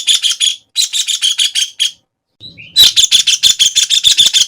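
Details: White-throated kingfisher (Halcyon smyrnensis) giving harsh, rapid rattling notes in quick bursts of about three per second, with two short pauses and a soft, higher chirp from another bird before the chatter resumes.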